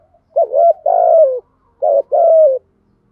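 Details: Spotted dove in thúc gù cooing, two phrases in quick succession, each a short clipped note followed by a long, slightly descending, buzzy coo.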